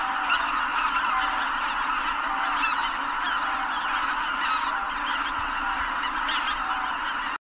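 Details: Startled flock of Greater white-fronted geese leaving Kabukuri-numa marsh at once shortly before sunrise, 1 January 2022. A thick chorus of honking, with clear higher individual calls rising above it near the end.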